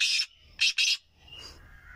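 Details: Kohati king partridge, a caged bird taken outside for its first day of the season, giving the season's first call: loud, harsh, rasping bursts, one long and then two quick ones, followed by faint chirps in the background.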